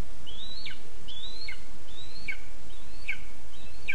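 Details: Begging at a spruce nest in Zemgale, Latvia, on 20 August 2024, a Lesser spotted eagle chick calls for food with four shrill rising-then-falling whistles spaced roughly a second apart against constant low hiss.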